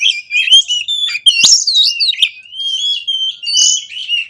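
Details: Oriental magpie-robin singing a lively 'konslet' lure song: long steady whistled notes and wavering slides broken by sharp clicks and buzzy flourishes, continuous throughout.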